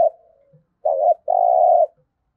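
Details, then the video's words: Spotted dove 'thúc gù' urging coo for daily decoy training: the tail of a coo fades out, then a wavering lead-in note and a long, even, rolling coo follow. "Tiếng chim cu gáy thúc gù cực đỉnh/ chim cu gáy tập mồi luyện bổi hót theo hàng ngày"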